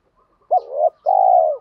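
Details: Spotted dove lure call aimed at wild doves: a quick wavering low note, a brief pause, then a long, even, burry coo held for about half a second before tapering off.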